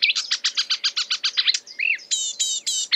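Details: Imitative song from a marsh warbler: a fast series of about a dozen identical chirps, then a soft swooping note and three buzzy, harmonic phrases, finishing on a sharp chip.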